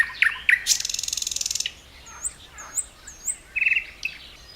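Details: Common nightingale song recorded at Khoroshevo, 29 May 2011: two sharp notes, a rapid rattling trill, then spaced soft high whistles and a brief chattering phrase, with faint low background hum.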